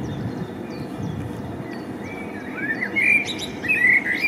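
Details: Spring song of a male common blackbird: after faint distant chirps, rich, loud, mellow warbled phrases sliding up and down, delivered in two strong bursts over steady background noise.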